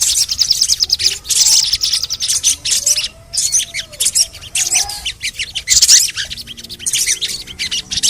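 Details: Crimson sunbird (sogon) in a lure recording to stimulate singing: busy high squeaky twitters and chirps in near-continuous bursts with short pauses, soft lower whistles behind.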